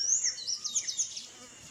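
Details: Free-living Sayaca tanager giving a short burst of song: piercing high squeaky slurs, quickly repeated, then a few softer notes before the singing stops.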